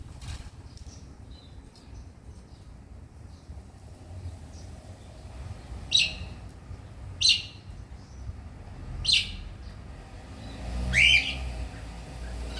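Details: Cockatiels out in heavy wind give a few short, harsh, screechy calls over a steady low rumble of wind.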